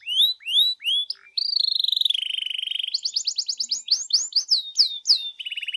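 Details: Canary song used as a lure to make a canary answer: rising whistled notes, then a long steady buzzy trill and a run of quick repeated chirps and sweeps.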